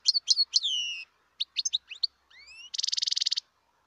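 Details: Wild European goldfinch in Algeria: ringing chirps and drawn-out falling notes, quick twitters, a rising whistle, then a dry rapid buzzy trill.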